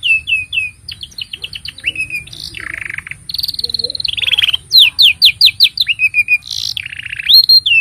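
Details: Canary used as a master singer for young canaries and silent birds, delivering loud varied song: short whistled phrases, low harsh rolls, fast runs of sharp falling notes and steady buzzing trills in close succession.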